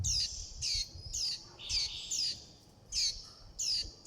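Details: Young warbling white-eyes calling to their mother and flock and begging for food: thin, sharp, high notes that sweep downward, given in short bursts about every half second with brief quiet gaps between.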